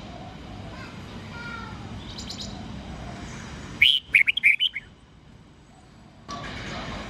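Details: Red-whiskered bulbul at dawn singing the 'old forest voice' pattern of 8-9-10 notes, a recording meant for training young white-cheeked birds. A fast run of roughly seven piercing whistled notes, framed by soft hiss and faint chirps.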